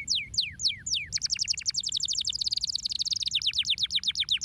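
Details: Canary singing to stimulate other birds to sing: several slow, loud downward-sweeping whistles, then a long, rapid, rolling trill of bright repeated high syllables.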